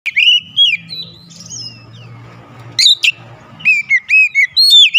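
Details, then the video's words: Oriental magpie-robin song played as therapy to make a silent bird sing: loud whistled phrases sliding down, then sharp upward notes and a burst of quick varied whistles after a pause, with faint low hum between. "terapi mengatasi Kacer macet bunyi langsung gacor"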